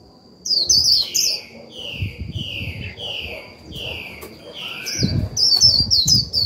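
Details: Japanese white-eye lure singing líu to excite other birds: high twittering bursts at start and end, between them a series of lower, downslurred whistled notes spaced about half a second apart, over low rumble and a thin steady tone.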